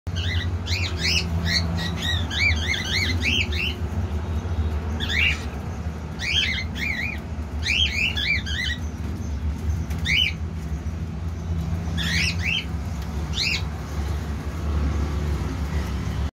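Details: A newly arrived cockatiel chick, the second baby from the second clutch and presumably a red-eyed lutino, gives thin, rising chirps in quick clusters over a steady low indoor hum.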